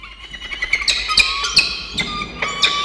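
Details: Peregrine falcons at a nest box on a university campus in Orange, New South Wales, Australia, 1 November 2021, as an adult brings breakfast and feeds a chick: rapid run of short squeaky harmonic notes mixed with sharp clicks.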